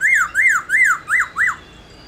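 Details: Loud laughingthrush song meant to stimulate other laughingthrushes to sing: five clear rising-then-falling whistled notes, each about a quarter second, repeated rapidly.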